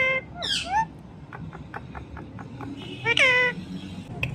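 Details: Talking ringneck parrot, kept as a pet, saying "Mithu Mithu": a sharp squeaky opening, a run of quiet clicks, then a loud falling harmonic call near the end against soft background hum.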